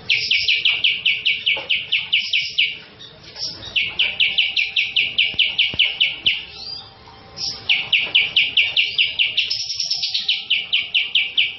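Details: Cucak jenggot (cream-vented bulbul), a national champion bird in full, lively song used as a lure track: fast runs of sharp, high chirping notes in long rhythmic series, broken by short pauses, with varied phrases.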